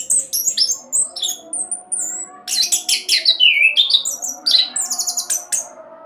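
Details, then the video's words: Rolling speed song of an orange-headed thrush, played to coax other birds into singing: clusters of high piercing whistles and slurred sweeps, a short pause, then rapid chattering phrases with thin upslurred notes. "Anis Kembang Roll Cocok buat Pancingan agar cepat bunyi"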